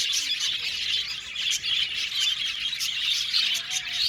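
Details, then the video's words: Budgies chirping in an aviary, an Australian budgie colony: busy overlapping high twitters with several sharper squawky notes and brief scratchy bursts among the steady chatter. "budgies chirping sound"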